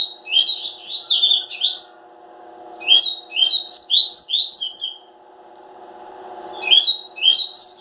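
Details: Double-collared seedeater pouring out lively twittering phrases, a long burst, a second after a short gap and a brief third near the end, each made of quick high notes, over a low steady hum.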